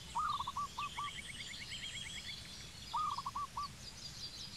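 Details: Zebra dove in Cambodia giving two short cooing phrases of four or five staccato notes near one pitch, about three seconds apart, while other birds chatter with rapid high notes in the background.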